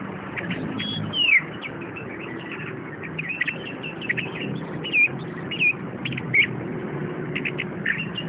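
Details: Chestnut-capped thrush, a caged bird from a shop collection, delivering a long descending whistle and then short looping whistled notes and rapid chips at irregular intervals above a persistent low hum.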